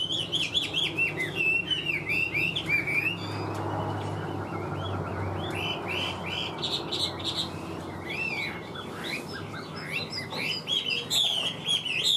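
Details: A captive Chinese hwamei, about a year and a half old, sings strongly in a loud, rich run of varied whistled and slurred phrases, rising and falling, with a faint low hum behind.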